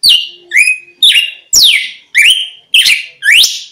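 A red-cowled cardinal sings seven loud, clear slurred whistles, about two per second, each sweeping down then levelling off at a bright high pitch. Nothing else is heard.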